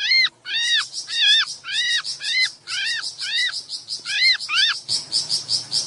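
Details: Sooty-headed bulbul in breeding condition, its song used to lure small birds closer: loud, clear arched whistled notes repeated in a bubbly series of about eight phrases, followed by a short burst of higher rapid twittering.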